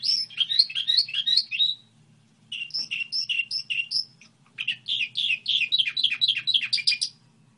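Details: Singing goldfinch hybrid: a rapid chattering twitter, a pause, a slower series of clear spaced chirps, then a dense, fast descending twitter to close; steady faint low hum.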